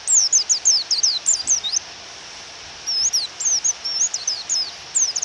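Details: Female white-eye calling so a male will sing, recorded with rain: loud, sharp, high chirps sliding downward in rapid clusters, a short pause, then more chirps, all over constant rain hiss.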